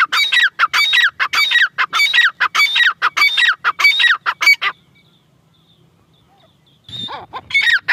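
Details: Female grey francolin repeating loud grating notes that drop in pitch, a rhythmic series for over four seconds, a pause of near silence, then the calls resume.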